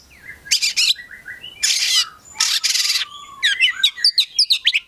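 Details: Caged Oriental magpie-robin (kacer) in energetic song: long harsh churring bursts alternating with low whistles, then a quick run of sharp chirps and trilled notes.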